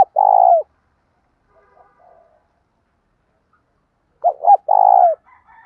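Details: Spotted dove, singing for training other doves, sex not stated: soft, low, hollow coos, one drawn-out coo, a pause, then two quick short notes and a longer rolling coo.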